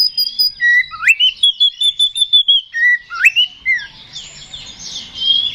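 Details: Oriental magpie-robin (kacer) singing 'ngeplong' to rouse other kacer to fight. Quick repeated whistled notes with two rising swoops, then a softer scratchy warble.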